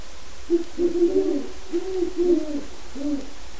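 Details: Wild Great Horned Owl at the open door of a pen holding a non-releasable captive breeding pair in its territory. It gives a clear run of deep, muffled hoots, several grouped closely, then a final separate hoot.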